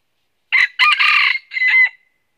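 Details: Loud crow of a red junglefowl used as live decoy for trapping in northern Vietnam: sharp opening syllable, a long buzzy middle section and a drawn, slightly falling final note, in quiet surroundings.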